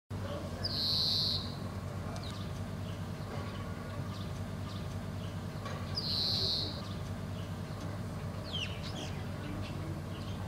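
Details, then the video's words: A European greenfinch gives a long, nasal, buzzy wheeze twice, about five seconds apart, over a steady low rumble with faint chirps from other birds. "Greenfinch Vocal"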